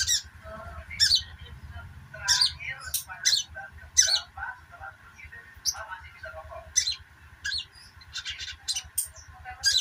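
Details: Sogok ontong bird chirping rapidly, used as therapy to get silent birds of its kind to sing; short, sharp, high chirps in irregular bursts, over a steady background hum and low rhythmic pulsing.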